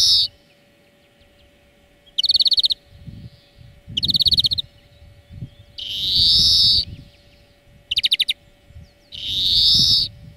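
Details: Greenfinch singing for a training lesson: rattling trills alternate with long buzzy wheezes, repeated several times over ten seconds, over a low rumbling background.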